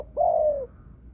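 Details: Female Thai-line spotted dove singing in the prized 'thunder-voice' style: one long, smooth, low coo that holds steady and then slides gently downward before fading, over a faint low hum.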